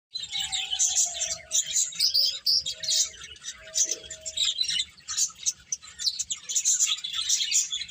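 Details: Dense chorus of many small birds chirping at once, high rapid tweets in continuous overlapping bursts, with a faint low steady tone sliding downward and a second tone held near the middle of the recording.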